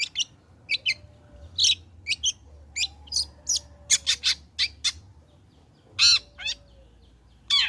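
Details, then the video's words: A long-tailed shrike past its moult (trotol) sings to lure other shrikes into song: a long series of short sharp high chips and whistles, irregularly spaced, with a few harsher rasps and a faint steady tone. "Burung Cendet Gacor Selepas trotol PANCINGAN CENDET AGAR BUNYI"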